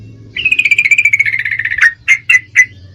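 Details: A female Sooty-headed Bulbul in breeding condition calls a male with a slowly falling, rapid chattering trill ending in three spaced sharp notes, a low steady hum underneath.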